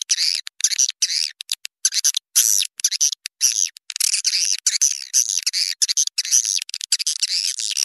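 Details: Swiftlet calls used as an outdoor lure to draw swiftlets to nest houses in swiftlet farming: a dense, continuous stream of harsh, buzzy chirps and twittering notes, broken by brief gaps, with no other sounds.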